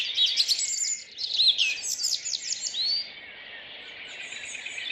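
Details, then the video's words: May dawn chorus from a city park in Rheine, 2011, early morning, four-track recording turned into stereo: loud busy chirping and trilling from several birds for three seconds, then softer distant high twittering. "Vogelstimmen Stadtpark Rheine2011"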